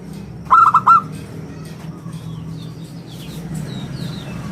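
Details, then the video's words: Local zebra dove with a round, crystal voice, used as a lure and song model. One short burst of four rapid ringing coos, followed by quiet high chirping from other birds. "suara bulat kristal - perkutut lokal gacor suara istimewa buat pancingan dan masteran"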